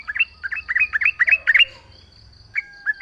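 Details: Lure recording of a Yellow-vented bulbul singing nonstop outdoors to draw replies from other bulbuls: a quick string of short, lilting chirps, then a pause and two separate notes, over a thin continuous high whine.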